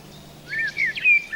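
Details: Common blackbird gives its melodic territorial song in a dripping-wet spring forest after rain: a brief run of mellow, warbled phrases around a clear fluted whistle, over a faint low hum.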